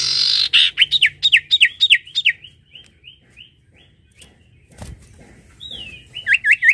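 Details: Sirtu singing actively: rapid series of clear, looping whistled notes that fade into quieter repeated phrases, then a sliding whistle and a renewed burst of quick notes at the end.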